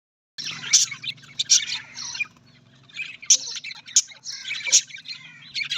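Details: Budgies, Australian parrots, giving bursts of high, scratchy chirps and warbled chatter with sharp squeaky notes, over a steady low hum.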